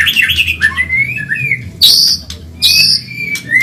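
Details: Caged white-rumped shama of the Medan type in training song: rising whistled slurs broken by two loud harsh rasping bursts, against a soft continuous low hum.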